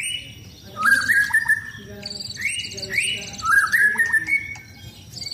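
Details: White-rumped shama kept for song contests, singing during its regular sunbathing session. Repeated whistled phrases rise then level off, about every second, mixed with high chips and light background hiss.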